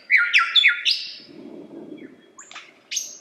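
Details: Lyrebird singing quick descending whistled notes in a short run, then a pause before scattered sharp high calls.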